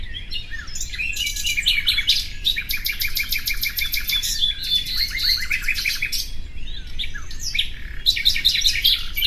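A nightingale pours out a rich, varied song of rapid repeated notes, fast rattling trills and sharp whistles, over a steady low background rumble.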